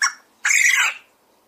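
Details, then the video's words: A domestic Coturnix quail indoors gives a short note, then a harsh, buzzy crow lasting about half a second. "Quail call / crowing / sounds"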